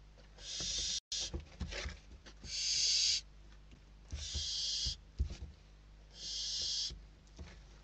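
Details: Inside a Spanish barn owl nest on 21 December 2023, hungry chicks struggle over a bird brought as food, the oldest winning; four long rasping hisses of nearly a second each, broken by scuffles and knocks.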